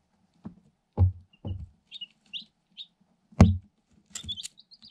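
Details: Day-old Light Sussex chicks, eight incubator-hatched birds in a cardboard box, recorded on a GoPro Hero 7 Black: scattered short high peeps, some rising, sounding between loud dull thumps of pecking against the box and camera.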